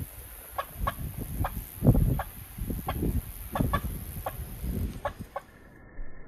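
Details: Farm turkey uttering clipped cluck notes about every half second over heavy low rumbling and handling noise.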